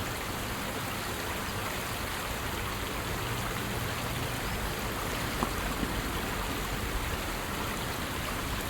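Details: Rushing stream water fills the scene with a steady hiss, with only a couple of faint ticks and no animal calls.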